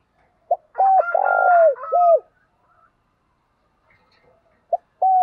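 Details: Spotted dove cooing, a recording used to stimulate and train male doves: a short low note, then a long rolling coo, a clear falling coo and a fading tail, followed by a pause and the start of another phrase.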